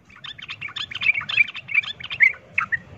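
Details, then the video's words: Rapid chattering fighting song of a sooty-headed bulbul, used to provoke rival birds: a fast run of jumbled bright notes for about two seconds, ending in a few separate sharp chirps. "pancingan trucukan ROPEL TARUNG ini bikin trucuk lain seketika ikut EMOSI tarung"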